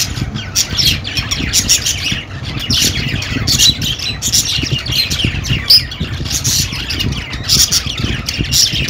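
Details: Budgerigars keep up continuous chatter, grating squawks and quick chirpy warbles layered densely, with occasional sharper high notes, over a low background rumble.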